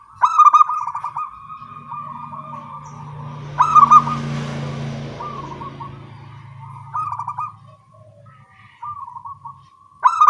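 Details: Morning exchange between local zebra doves (perkutut): loud stuttering coo phrases recur every few seconds, separated by softer trilled coos, with a brief rushing noise in the middle.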